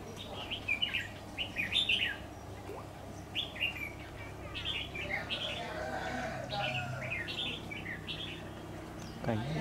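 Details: Red-whiskered bulbul, a large wild bird confronting a decoy during trapping on 10 September 2019, repeatedly threatening it: short bright whistled phrases in quick bursts, rising and falling, over a steady low hum, with a faint human voice near the end.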